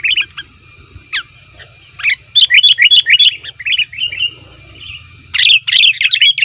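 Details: Noisy lure call of a sooty-headed bulbul to draw wild birds and prompt caged ones to answer: scattered chirps, then a run of quick bubbly chattering notes, ending in a harsher, louder burst, over a constant low hum.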